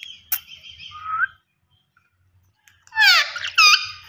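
Australian parrots give two bursts of scratchy, warbling chatter, full of quick rising and falling notes, separated by a couple of seconds of silence.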